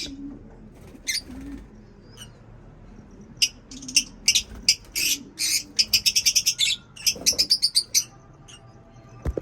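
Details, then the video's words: In a lovebird cage setup, sparse high chirps build into a rapid, even string of bright chirps repeated several times a second, then taper off, with low rustling and a brief thump. "Lovebird setup | Birds chirping sound"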